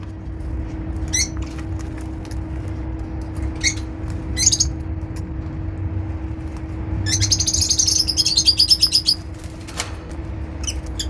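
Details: Pet African lovebirds enjoying bathtime in an aviary, sounding happy: scattered sharp chirps early on, then a rapid buzzy burst of chattering lasting about two seconds, a few final chirps, steady low hum throughout.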